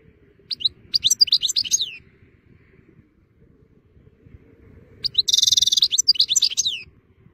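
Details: European goldfinch singing in fine weather: two bursts of bright, tinkling twitters and buzzy trills high in pitch, separated by about three seconds of quiet, with low background rumble.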